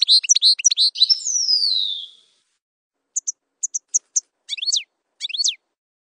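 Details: European goldfinch, campero type, singing rapid liquid twitters followed by a long descending slurred whistle, then a pause and scattered short chips and sharp downslurred notes.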